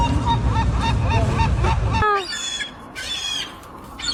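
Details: Seagull laugh: a quick run of harsh, repeated squawking notes over rumbling wind or surf, followed by a few higher, thinner cries.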